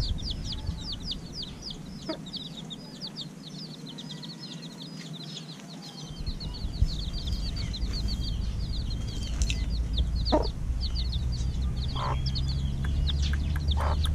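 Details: Chicks hatched a little over a week earlier, fed in the evening, keep up a dense chorus of high, thin peeps that rise and fall in quick succession. Low rumbling background noise and occasional clicks are also heard.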